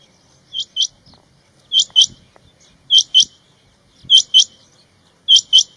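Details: Male rain quails calling with loud, piercing paired notes, five evenly spaced doublets about one per second, each pair of short, sharp whistled clicks, over a faint background of low rustling.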